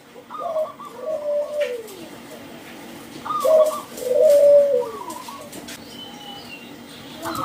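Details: Local zebra dove with a loud, clear voice, used as a lure to get other doves singing: soft low coos that fall at the end, with short higher notes between them and some faint background chirps.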